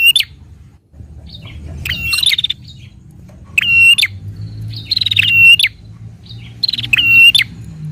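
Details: Prinia song to stimulate a captive prinia: loud harsh whistled bursts with rattling trill tails, repeated about every one and a half seconds, low hum in the background.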